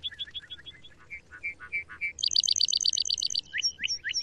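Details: Male Lark Bunting singing: opening series of paired chips, then low slurred notes, a fast buzzy trill of rapid repeated notes, and ending with rising whistled slurs repeated several times.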